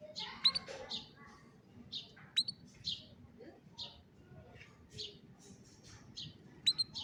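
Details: Old canary singing in the afternoon: scattered short, bright chirped notes, several sharp clicking accents with brief whistled tails, and gaps between phrases over a low murmur of background noise.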